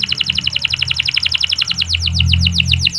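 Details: Local canary training song, used to make less eager male canaries sing: clear, long unbroken rapid trill of repeated sharp notes, steady then slightly slowing, over a low rumbling hum.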